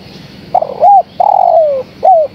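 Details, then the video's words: Spotted dove, a female calling the male. One cooing phrase is heard: rough stuttering start, a smooth arched note, a long coo gliding down, ending with a short rising-and-falling coo. Steady faint hum. "Suara Tekukur Betina Gacor Memanggil Sang Jantan"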